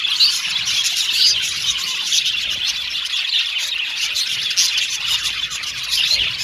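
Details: Budgerigars, described as happy and cute, chirping: a dense, continuous flock chatter of high tweets, warbles and short whistles with no pauses throughout.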